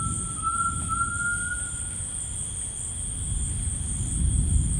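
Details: Tinamou in rainforest giving a long, smooth, even whistle of nearly two seconds that rises gently and fades out, accompanied by continuous high insect trilling and low ambient rumble.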